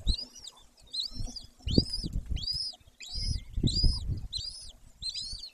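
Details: At a wild golden eagle nest in Bucovina, Romania, afternoon of 18 May 2024: repeated high arched whistles, about eight in five seconds, amid heavy low thumping and rustling.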